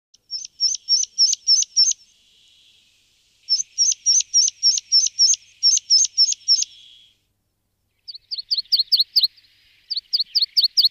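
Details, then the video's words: Water pipit (Anthus spinoletta) decoy call: a rapid series of thin, high, sharp notes, about four per second, in bursts separated by short pauses. "Petinha Ribeirinha, Anthus Spinoletta, Bisbita Ribereño Alpino"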